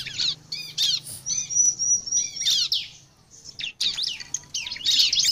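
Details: Lure song of a bar-winged prinia, described as singing vigorously, meant to attract other prinias: varied high chirps, a thin sustained whistle and scratchy note clusters with short gaps, over a faint low hum.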